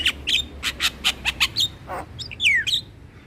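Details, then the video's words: Javan myna song as a lure for mynas and starlings: six or seven loud clicking squawks about every quarter second, a rasp, then a long falling whistled slide. "PAncingan Semua Jenis Burung Jalak dengan Ocehan Jalak Kebo Masteran"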